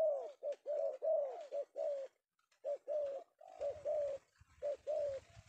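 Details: Male spotted dove (tekukur), caught in the afternoon in Indonesia and prized by keepers of lure birds. It gives low, mellow coos in short rounded notes, about one a second, with a brief pause near the middle. Faint rustling is heard late on.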